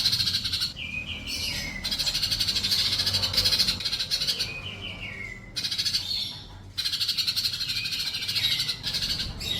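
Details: Sunbird song recorded as a model for teaching pet birds to sing: bursts of high, buzzy, rapid twittering separated by short gaps, several containing quick descending trilled phrases, with a constant low background hum.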